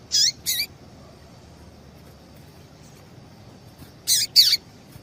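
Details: Calls of a female yellow-bellied seedeater meant to excite a male to sing: a quick pair of high descending chips, a pause of nearly four seconds, then a second close pair, with faint hiss.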